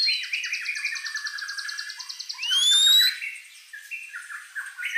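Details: White-rumped shama, gacor with varied fill-ins: a fast rattling trill of repeated notes, then a clear rising whistle, followed by softer scattered chirps.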